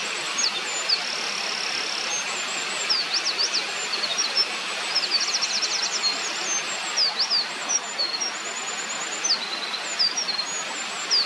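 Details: Eurasian wren singing by a mountain stream in 2024: a long, high, rapid run of thin trills and sharp zigzag notes, including a quick rattled stretch, over the steady loud rush of flowing water.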